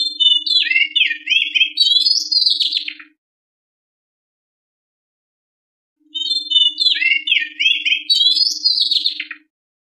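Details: White-rumped shama song used as a lure to stimulate birds to sing: two loud bursts of about three seconds each, rapid varied whistles and trills sliding up and down, separated by three seconds of silence, with a faint steady low hum.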